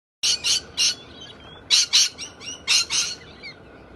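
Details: Galahs, birds endemic to Australia that behave boldly and loudly, give harsh, screechy squawks in short bursts of two or three, about one per second, with softer chatter in between.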